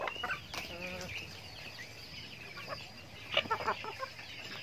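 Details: Chickens in a backyard farm flock at feeding time. One drawn-out, nasal, buzzy call opens the recording, followed by quieter murmurs and then a quick burst of sharp clucks near the end.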